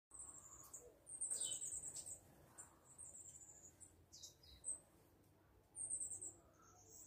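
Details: Variegated fairywren family, a pair with three fledged chicks, recorded on an android phone; faint, very high thin trilled reels and short chirps come in bursts near the start and again near the end over quiet background hiss.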